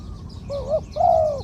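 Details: Spotted dove with a medium voice, two-'kuk' 'khu-ang' singing style, kept as a ground decoy: a short wavering coo followed by a longer, level, hollow coo that falls at its end.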